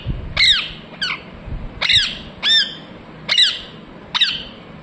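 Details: Parrot chirping: six sharp, harsh calls sweeping downward, about one every three-quarters of a second, each loud and ringing with a faint hum underneath.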